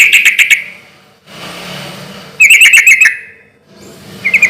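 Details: Sooty-headed bulbul, loud and persistent in relaxed rhythm, used as a lure for answering bulbuls: brief bursts of fast pulsed chirps, a stretch of soft hiss between them, and a final short trill starting.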